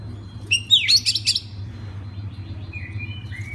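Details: Oriental magpie-robin singing as a model for other magpie-robins: one rapid burst of sharp rising whistles and chirps, then soft drawn-out falling whistles, with a steady low hum.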